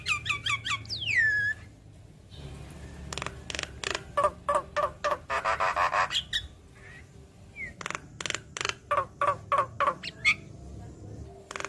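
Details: Javan myna singing in a head-bobbing display, a lure meant to prompt silent mynas into answering: descending whistled notes open, then a fast run of harsh, clicking bursts roughly three per second, ending in scattered rising squeaks.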